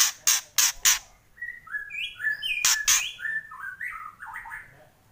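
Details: White-rumped shama, loud kretek delivery: three harsh rattling bursts open, then a flowing series of clear whistled notes, two more rasps, and further varied whistles fading out.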